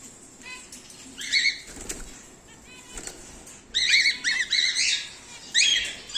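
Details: Whiteface emerald and exhibition grey male cockatiels bred at home: a loud flurry of flapping wings, then a quick run of clipped, harsh rising-falling chirps and squawks.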